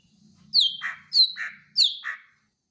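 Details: Three paired phrases from a greater green leafbird: each a high, falling squeaky note followed by a lower, rougher note, repeated at an even pace over a faint low hum.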